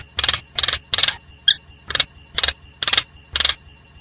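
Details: Wild Nias hill myna giving a run of harsh, rasping bursts about twice a second, broken once by a short clear whistle, over a faint steady high hum.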